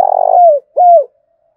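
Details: Spotted dove used as a decoy, cooing to stir other doves into calling: a low, purring trill that swells into a smooth falling coo, a short pause, then a second clear coo sliding downward. No other sounds.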